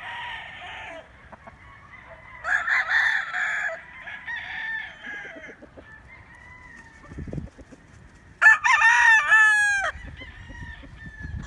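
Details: Several roosters crow in turn among chickens, short nearby and distant crows overlapping, then a loud close crow with a stepped, wavering ending near the end.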